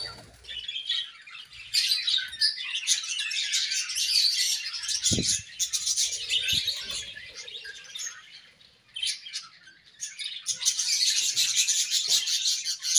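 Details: Several budgies chatter and sing during play, a continuous high, scratchy warble with quick chirps; a short low thud and faint soft rustling sit mid-recording, then the chorus grows louder again.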